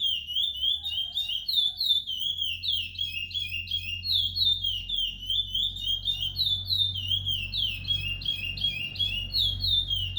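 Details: Chestnut-bellied seed finch, ten months old, still in brown plumage, bred in captivity in Brazil's northeast. It delivers a long, steady warble of clear, downward-slurred whistles over ten seconds with barely a pause, backed by low room hum.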